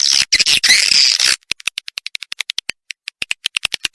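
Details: Edible-nest swiftlet roosting lure: just over a second of harsh, buzzy twittering, then a steady series of sharp, dry clicks, roughly three per second.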